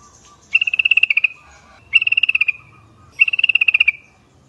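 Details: Yellow-vented Bulbul call used as a lure to draw answering flocks: three bubbly trilled bursts of about a dozen fast pulses, each under a second, coming roughly every 1.3 seconds.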